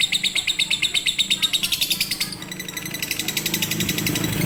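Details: Lovebird singing konslet or fighter style as a master for non-singing birds: quick, harsh chirping that grows denser and blurs into a continuous chatter over a low background hum.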